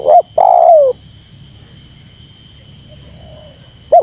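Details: Spotted dove coo played to provoke wild doves: one clipped note, then a long, level, slightly falling coo. A pause follows before another note begins, over soft background noise.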